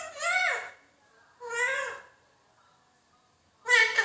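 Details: A pet Indian ringneck (rose-ringed) parakeet talks, saying words such as "Allah ho" and "mithu mithu mein tota", in three short, reedy, human-like phrases, each under a second long, separated by quiet pauses.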